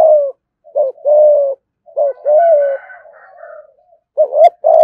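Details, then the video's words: Spotted dove kept as a cage bird, giving thúc gù cooing: clipped short notes each followed by a drawn-out level coo, repeated, with a soft murmuring tail between phrases. "cu gáy thúc gù"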